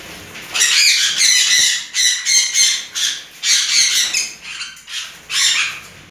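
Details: Juvenile red-fronted conures, a tame pair, screeching loudly in a run of grating, noisy squawks, about seven bursts over six seconds, with faint room background.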